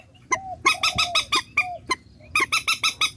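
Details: Purple swamphen decoy sound from Vietnam: soft downslurred whistles mixed with quick runs of harsh, nasal honking notes, with a faint low hum beneath.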